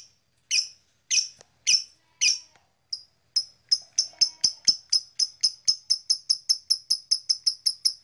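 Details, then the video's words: Black-masked lovebird, blue variety, with a string of shrill chirps that starts spaced and speeds into a fast, even series of thin, piercing notes. "Beautiful Lovebird Long Chirping Sound - Blue Black Masked Lovebird"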